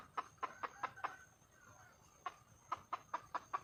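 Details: Wild red junglefowl hen calling for a male: short sharp clucks in quick bursts, five in a row, a pause, then five more, roughly two or three per second.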